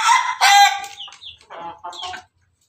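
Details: Melodious crow from a red Ayam Ketawa rooster perched on its coop: two loud harmonic bursts followed by quieter stuttering, laugh-like notes that fade out within about two seconds.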